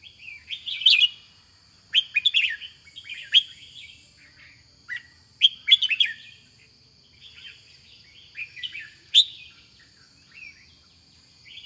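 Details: Red-whiskered bulbul singing in loud bursts of short, warbled, chirpy phrases, a cluster roughly every one to two seconds with quiet gaps, over a steady high-pitched whine in the background.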